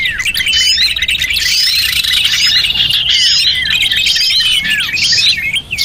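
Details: Lure recording of small birds meant to draw in other small birds; many birds twitter at once in a busy, high-pitched tangle of short chirps, downward-swept notes and rapid trills without pause.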